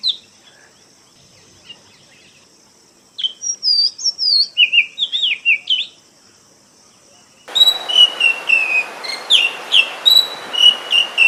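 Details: Oriental magpie-robin in a forest: a run of quick varied whistled phrases, then after a pause a louder series of sharp, clear whistled notes with descending slurs, repeated roughly twice a second over a steady hiss.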